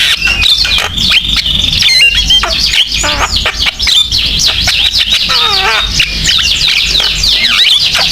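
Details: Javan myna in full song to coax other mynas into singing, a dense medley of squeaky whistles, sweeping slurred notes, clicks and harsh chatter packed tightly together.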